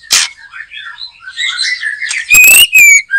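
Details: Backyard white-rumped shama (murai batu) singing during bird trapping; a harsh burst opens a run of quick warbled whistles, followed by loud, clear rising whistles and sharp chattering notes.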